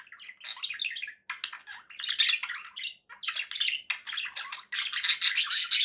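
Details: Budgerigars in a home setting warble in broken bursts of buzzy chirps and squeaks, growing louder and denser toward the end.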